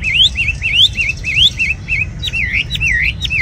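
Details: A tame caged red-whiskered bulbul sings rising and wavy whistled notes in close series, alternating upslurs and short dips, ending in a few longer down-curving whistles.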